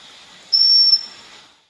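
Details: A Pygmy Cupwing, a tiny bird, in Peninsular Malaysia, July 2023, gives one thin, very high whistle, held steady for about half a second, over a faint background hiss.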